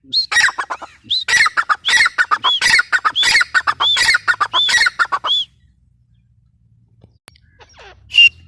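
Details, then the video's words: Grey francolin (teetar) gives a loud, steady series of harsh, ringing notes with short upward-curving whistles, repeated rapidly for five seconds, then near silence with one final note. "gray francolin teetar sound"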